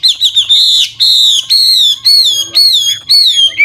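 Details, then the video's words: Chinese hwamei, an old wild bird, sings to spur young birds into song; rich, drawn-out whistled notes in separate phrases roughly every half second, each with slight downward slur. "Tiếng chim họa mi mồi già rừng hót luyến láy đảo giọng liên tục, giúp kích chim bổi nhanh hót"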